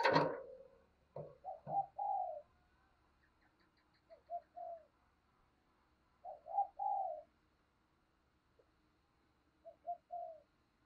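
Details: Decoy spotted dove calling to stir wild doves: after a sharp knock, three soft coo phrases of two short notes and a longer one, spaced about two seconds apart, with a faint background hum.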